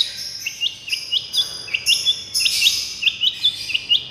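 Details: Long-tailed shrike singing the 'miyik' style used as therapy sound: thin, high trilled notes repeated about three times a second over a steady high hiss.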